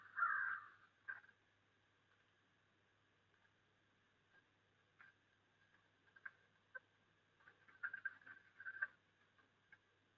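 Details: In snowfall during December, a crow opens with one loud, harsh caw, followed by faint short notes and a scatter of quieter calls in the background.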